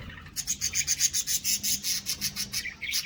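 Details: Budgerigars in a caged colony with a nest, chirping: a fast run of short, raspy high chirps, several each second, with a faint steady low hum underneath.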